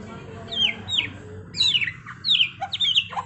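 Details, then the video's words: Trontolan ngeroll singing by a white-rumped shama: loud, steeply falling whistled notes repeated about every half second, some doubled, with a faint low hum underneath. "Masteran Murai Batu TRONTOLAN NGEROLLLLLLL Edan!! GACOR X Roll"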